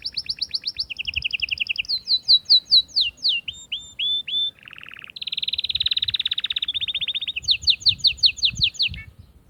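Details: Atlantic canary singing to excite females for breeding, a continuous run of shifting phrases: fast rattling trills, a string of sweeping whistles, a lower buzzy burst, a long bright trill and closing descending slurred notes.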